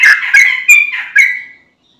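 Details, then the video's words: Yellow-vented bulbul in full song, used as a lure so young birds and flock birds answer; four loud bubbly chattering phrases in under two seconds, then quiet. "Trucukan Bahan, Ombyokan Langsung Nyaut Dengar Suara Trucukan Gacor ini"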